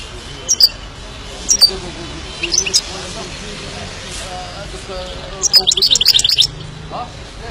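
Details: Himalayan goldfinch with scattered high chirps early on, then a fast run of bright, tinkling twitter notes lasting about a second, over a low murmuring background.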